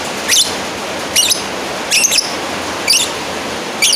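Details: Lovebird calling a rival: five sharp, shrill, chattering shrieks, each about a quarter second long, spaced roughly one second apart over a steady background hiss.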